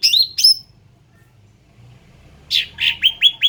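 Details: {'caption': 'Endemic ruby-throated bulbul giving two sharp chirps, then a pause, then a run of five loud descending whistled notes in quick succession.'}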